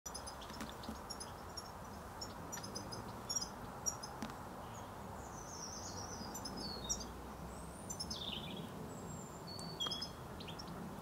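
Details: European goldfinch singing near a garden birdbath, where it feeds on alder trees along the street; thin high twittering notes scattered through the clip over a steady low background hum.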